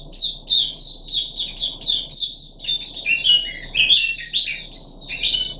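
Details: Puff-backed bulbul kept caged, third day of deworming, 14 July 2021, producing a lively flow of whistled and chattering notes that dip lower in pitch midway before rising again.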